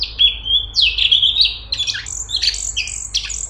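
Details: Cungkok singing in a tight, busy style: a level whistled note, then quick jumbled chattering and buzzy phrases, ending in high squeaky notes.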